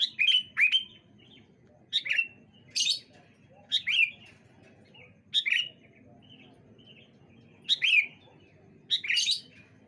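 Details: Sooty-headed bulbuls trading songs back and forth on a bright morning; about eight brisk, bubbly phrases of sharp falling chirps, some closely doubled, others separated by short gaps, against faint low background rumble.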